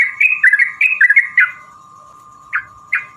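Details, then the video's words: Provoking a rival, a yellow-vented bulbul gives a quick burst of bubbly whistled notes, then two isolated chirps after a pause. A steady thin tone hums underneath. "trucukan gacor TARUNG ROPEL PANJANG pancingan trucukan agar bunyi jadikan burung trucuk gacor EMOSI"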